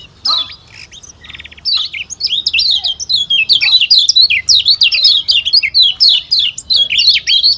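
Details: Lombok white-eye (kecial kuning) with a thick, full voice, kept for song contests: after a brief buzzy rattle, a fast run of high, sharp, down-slurred chirps and twitters, densely packed and continuous, in a quiet room.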